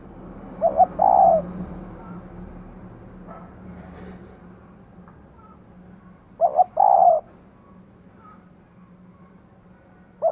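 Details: Spotted dove, a female calling to excite a male, repeating a brief phrase of two short notes and a louder, fuller coo roughly every six seconds, with a steady low hum and a few faint clicks behind.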